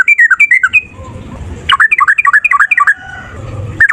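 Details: Yellow-vented bulbul male in fighting song, a lure to make other bulbuls sing back: quick series of bubbly, slurred chirps, a short gap, then another fast burst of jerky warbling notes.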